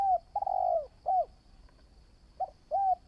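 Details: Spotted dove newly out for decoy training: a short note, a long slightly falling coo and a clipped note, then a fresh phrase starts after a pause. A steady faint high whine runs underneath.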